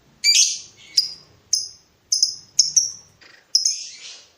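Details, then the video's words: Lovebird in breeding mood calling to provoke a rival, giving sharp high chirps that start abruptly and fade out, in an uneven series of about seven notes, with one longer buzzy note at the end. "BURUNG LOVEBIRD MENCARI LAWAN || LB MANAPUN PASTI NYAUT BUNYI"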